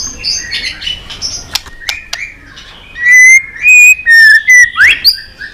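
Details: White-rumped shama singing a long string: soft twittering and clicks, then loud pure whistled notes in a rhythmic series ending in a sharp upward slur.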